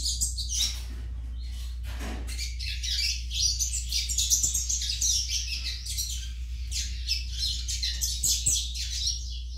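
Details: Fledgling coleiro baiano singing almost without pause: a long, busy stream of high, scratchy twitters and chirps over a steady low background hum.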